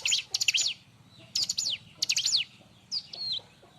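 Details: Loud, busy Bar-winged prinia song used to tutor and provoke other birds: tight clusters of piercing chips and downslurred whistles in short bursts, ending with a flatter whistled note, over a faint low hum.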